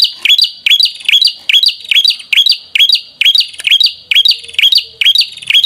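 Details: Fast, steady series of sharp whistled notes from a prinia, each a short high note with an upward twist, repeated more than twice per second against a quiet background.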